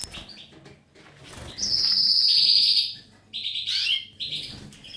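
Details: Goldfinch singing with a drawn-out, buzzy high trill lasting about a second, followed by quick tinkling twitters.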